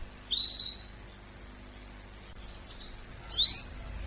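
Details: Canary singing during training: a short bright whistled phrase, then silence, a faint high note, and a louder sharp rising-and-falling whistle at the end.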